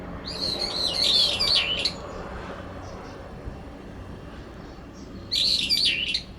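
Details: Two brown-eared bulbuls quarrel over territory in a cherry tree in late September. The resident drowns out the newcomer's clear voice. Two loud bursts of shrill, rapidly wavering screeches are separated by about three seconds of quiet.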